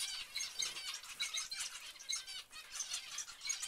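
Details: Zebra finches calling together, a dense chatter of short nasal harmonic notes overlapping without pause, with soft wing flutters mixed in.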